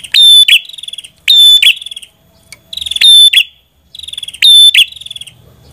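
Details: Red-headed prinia singing repeated phrases of a dry pulsed rattle that swells into a loud, buzzy, metallic burst. Four phrases with short gaps, one slightly softer, against a quiet backdrop.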